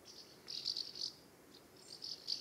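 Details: Common house martins near their nest site in a UK summer, a series of dry, buzzy chirrups in quick clusters of three or four, a brief pause, then another burst of rattling chirps.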